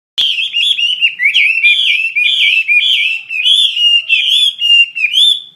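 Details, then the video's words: Chinese hwamei in full, lively song: loud, rich whistled phrases around a steady mid-high pitch, slurred up-and-down notes strung together without pause, clean and close with no other sounds. "SUARA KICAU BURUNG HWAMEI WAMBI GACOR"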